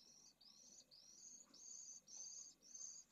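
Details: Begging pallid swift chick in a nest of a school colony in Jerez de la Frontera, Spain, during stifling heat over 45°C; six drawn-out, rasping high buzzes with short gaps between them.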